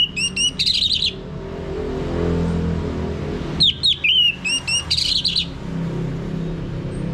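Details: Orange-headed thrush (anis merah) song used as a lure to make a male sing in the open ngeplong style, from North Bali: two bursts of clear, high whistled and warbled notes separated by a quiet gap over low background hum.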